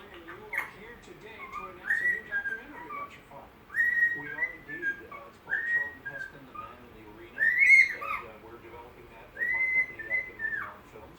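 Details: Drowsy caged pet bird working through the Andy Griffith Show theme song in a run of six or seven clear, gliding whistles about every two seconds, some ending in a falling slur, with quiet room noise underneath.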